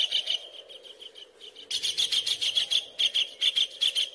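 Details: Kingfisher on a training recording meant for caged songbirds: harsh, high chattering notes repeated about twice a second, quieter at first, then a louder run of evenly spaced calls over a faint steady hum.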